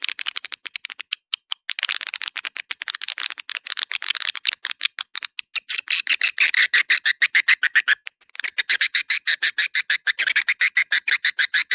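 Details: Swiftlet call-in sound in the 'Dua Bidadari' style, played to attract swiftlets in a swiftlet-farming area: dense, rapid chattering twitters and clicks, high and bright, in long bursts with a short pause near eight seconds.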